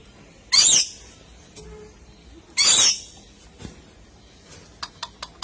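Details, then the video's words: A red lory gives two harsh, shrill screeches about two seconds apart, followed by a few faint, short high clicks. "Red Lorikeet Sounds"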